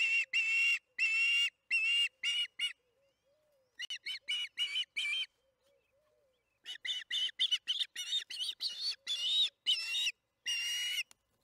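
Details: Osprey calling at the nest as food arrives in the evening, Charlo, June 21, 2019, 8:15 pm MDT, nest cam: long series of sharp, piercing whistled chirps, some drawn out, others quick and stuttering, with brief pauses between runs.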